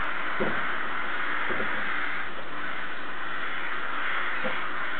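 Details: Rooks heading to their roost, giving hoarse, harsh caws, three spaced calls over about five seconds, half-buried under a steady, loud rumbling roar of background noise.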